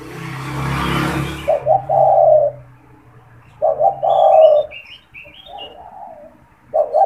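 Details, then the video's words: Caged spotted dove calling as a lure for wild doves: a rustling burst of noise opens, then loud stuttered low coo phrases about every two and a half seconds, with faint high bird twitters above. "SUARA PANGGILAN DAN PANCINGAN TEKUKUR TERBARU | TEKUKUR GACOR BAGUS BUAT PIKAT"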